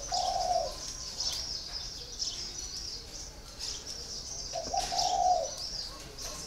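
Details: Caged spotted dove, four years in its cage, giving two low, mellow coos spaced several seconds apart under a continuous high chirping chorus from other birds.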